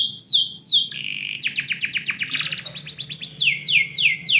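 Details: Morning song of a canary kept indoors, opening with fast downslurred whistles, then a quick series of sweeping rattled notes and a clear sustained tone, ending in repeated descending slurs.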